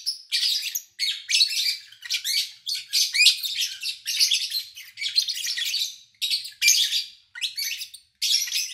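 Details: Lovebirds kept by an owner, recorded in August 2019 during a quiet spell with little human activity. Rapid, continuous, shrill chattering chirps follow one another about every half second with hardly a pause.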